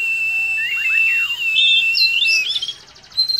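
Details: Oriental magpie-robin singing in chattering style while spreading its tail: a long, steady whistled note with quick downward swoops, ending in a burst of higher whistles and a clipped buzzy chatter.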